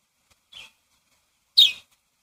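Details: Birds chirping in a yard: two brief, sharp, high chirps about a second apart, the second much louder, against near silence.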